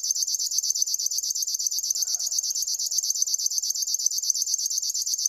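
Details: A river warbler sings a continuous sewing-machine rattle, rapid regular pulses held at one pitch throughout, with a brief faint low sound near the middle.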